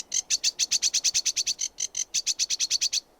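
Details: Sedge warbler delivering a steady series of about twenty quick, high, dry chirping notes, each clipped and metallic, repeated roughly six times a second with a brief stutter midway.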